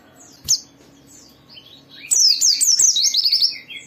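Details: White-eye song in "ngalas" fashion, played so other white-eyes open their beaks and sing: a lone sharp chip, a quiet gap, then a fast tumbling stream of high twittering notes.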